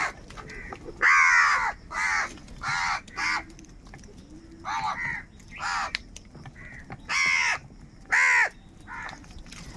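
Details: Crows fighting for food, angry: a long sequence of rasping caws at irregular intervals, loud and near at first, with quieter calls in between.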